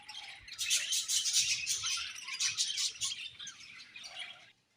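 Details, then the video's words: Budgerigars chirping in rapid, scratchy high-pitched bursts, packed chatter rising and falling for about four seconds before stopping abruptly into silence. "Beautiful Budgies Chirping Sounds"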